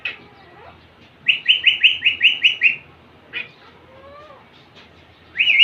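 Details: Young male Indian ringneck parakeet trying to impress a female, giving a quick run of seven sharp, bright chirps, followed by a single squeak, a soft sliding whistle and a final rising chirp.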